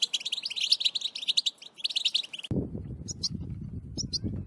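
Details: European goldfinch in excited breeding song: rapid twittering, tinkling high notes in dense bursts for about two and a half seconds, then an abrupt cut to low rumbling background with a few scattered high chirps.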